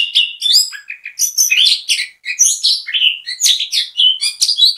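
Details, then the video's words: Orange-headed thrush (anis kembang) singing a bait song meant to make other birds of its kind join in; a continuous varied run of rich whistles, chirps and high trilled notes, densely packed with brief pauses, no background noise. "ANIS KEMBANG GACOR MEMBUAT ANIS KEMBANG IKUT BUNYI, PANCINGAN ANIS KEMBANG"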